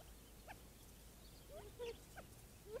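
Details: Several Gambel's quail gathering to drink water on a hot morning, with doves nearby, give soft, short clucking and chipping notes, scattered irregularly every half second or so, over a low background hum.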